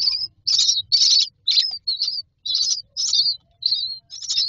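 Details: Nest-box myna chicks begging to be fed: loud, harsh, high chirps in fast bursts, roughly two per second, some ending in a thin falling squeak.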